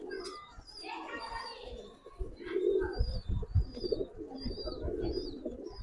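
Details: Giribaz pigeons, a domestic pigeon breed kept as a collection. Low, throaty cooing swells in repeated bursts, overlapping from several birds. Thin high chirps are scattered above, along with brief faint voices in the background.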